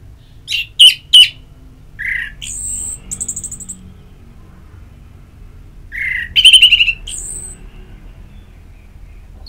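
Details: Ngeplong song from an orange-headed thrush, played as therapy to get birds singing: spaced whistles, a thin high tone, then a fast rattling trill with a high whistled ending.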